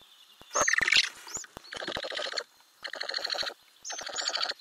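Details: Ural owl family in a nest box with growing owlets, filmed by an internal camera in May 2020; a loud harsh burst opens, followed by three long rattling, grating bursts separated by short pauses.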